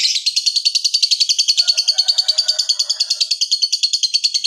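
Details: Fighter lovebird in captivity giving the long ngekek chatter used to set other lovebirds off singing: a rapid, steady high-pitched trill of repeated pulses lasting the whole stretch.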